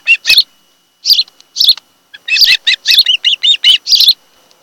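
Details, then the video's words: Osprey calling at its nest on Kent Island, Maryland, on a July 2018 afternoon, nest camera recording: a few spaced high chirps, then a rapid run of piercing whistled notes that quickly speed up into an excited series. "Osprey Nest"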